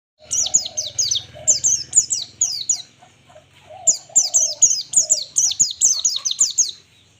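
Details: White-eye song used as a master recording for training birds: rapid series of high, thin descending whistled notes in quick bursts of three to five, repeated in two long runs, with faint low tones beneath.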